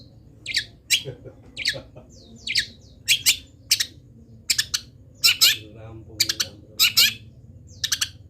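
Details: Molting local long-tailed shrike keeps singing its song of borrowed wild-bird sounds: scratchy high chirps and doubled notes in irregular bursts, with a low hum running underneath.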